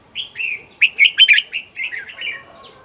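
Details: Red-whiskered bulbul singing as a decoy to lure wild birds: a clear run of rich, liquid warbled notes, loud and rapid in the middle, trailing into softer slurred phrases.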